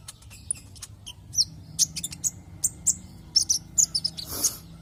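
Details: Javan white-eye song played as a lure so other white-eyes start singing: high sharp twittering notes, about two per second in uneven runs, ending in a louder broad burst of sound, over a faint low hum.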